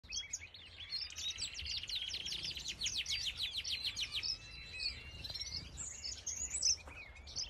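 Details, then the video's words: A male violet-eared waxbill (common grenadier), an aviary bird, sings a rapid, high, buzzy series of trilled notes that rise and fall, with other faint bird chirps behind. "Violet Eared Waxbill | Common Grenadier male"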